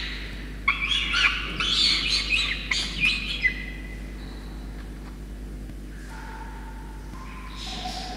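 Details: Begging from a young peregrine falcon in Orange, New South Wales, Australia, on 5 November 2021, as soaked parents deliver a wet starling. A run of grating, scratchy squeals fills the first seconds, then trails off into quieter thin notes.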